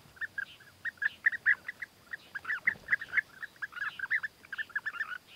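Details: Courtship of European bee-eaters with the male bringing food gifts; many rolled, purring calls overlapping in a lively chatter, repeated several times per second throughout.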